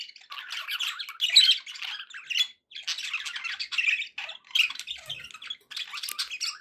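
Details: Pet budgies sounding happy, giving a rapid scratchy warble of chirps, clicks and squeaks in bursts, separated by a few brief gaps.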